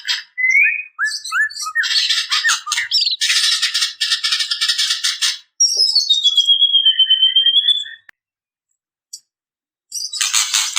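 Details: Female white-rumped shama calling to males. Varied bursts of sharp, buzzy chatter and short whistled slurs give way to a long, clear, slightly falling whistle. A final burst of harsh chatter follows after a short pause.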